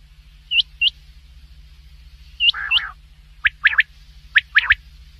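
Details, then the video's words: Black francolin: two thin upslurred whistles, then a harsh buzzy rasp, followed by sharp double and triple chirps, with a faint steady hum beneath. "Big Quail Sound"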